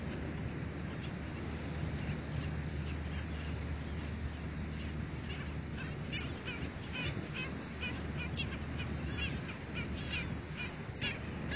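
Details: Flock of black skimmers at dawn at a beach bird sanctuary, giving many short, yapping, barking calls that overlap in a busy chorus, building in density partway through, with constant low surf or wind noise beneath.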